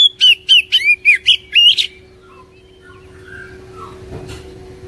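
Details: Oriental magpie-robin lure song for getting a quiet caged bird singing: seven quick, bright whistled notes with downward and upward slurs, followed by three seconds of faint distant chirps and soft background noise.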